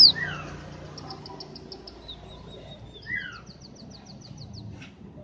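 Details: Tame, chatty scaly-breasted munia, a seed-eating bird often treated as a crop pest, gives high thin chirps and downslurred notes, then two quick runs of rapid ticking notes, over faint low background rumble.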